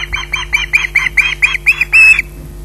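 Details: Osprey waiting for food at RSPB Loch Garten gives a tight series of nine harsh squawks, each a little longer and louder than the last, ending abruptly.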